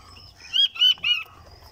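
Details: Kept Chinese button quail, also called blue-breasted or fancy quail, gives three clear whistled notes in quick succession, each bending slightly downward, in a quiet room with faint low hum.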